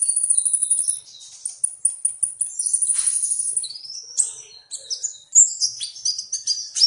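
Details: Sunbird song opening with a thin, very high sustained sizzling note, then breaking into quick scratchy chirps and bright rising and falling twitters, repeated in rapid bursts.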